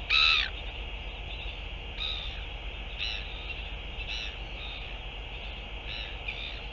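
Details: Northern royal albatross, recorded 11 February 2023: one loud, harsh, nasal call, then four fainter, softer repeats about a second apart, over a steady background hiss.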